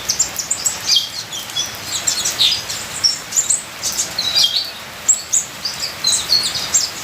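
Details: High, thin twittering of a ninja sunbird in rapid clustered notes, some sliding downward, over the soft steady hiss of rain.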